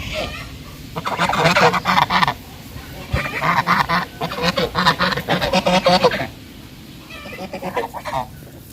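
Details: Bangladeshi goose making loud sounds while walking on land and swimming: harsh, rapid honking bursts in several runs of one to three seconds, with low background noise throughout.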